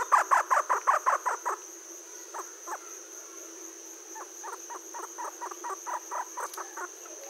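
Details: Jungle owlet calling in the evening at Aldona on 4 March 2014 around 7.16pm, recorded with a field recorder and parabolic reflector: rapid series of short, even hooting notes, a loud burst then a softer run, over a steady high insect hum.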